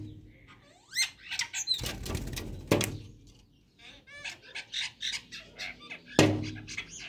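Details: Chestnut-tailed starlings in the early morning, interacting with each other, give rising squeaky whistles and quick chattering chirps, with bursts of wing flapping in between.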